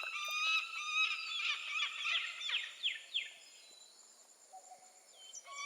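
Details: Peregrine falcon calling in a fast run of rasping, downward-slurred kak notes that fade out midway, followed by near quiet and a brief renewed harsh note at the end.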